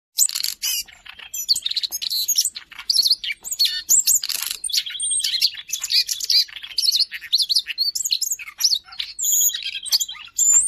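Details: Siberian rubythroat recorded in Jakarta on 5 March 2025, a very active singer offered as a master song for training other songbirds; a rapid, varied stream of high, sharp chirps, whistles and buzzy trills with short repeated notes and little pause.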